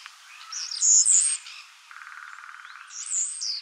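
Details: Common starling song: high whistled slurs and squeals, a buzzy rattling stretch in the middle, then another thin descending whistle.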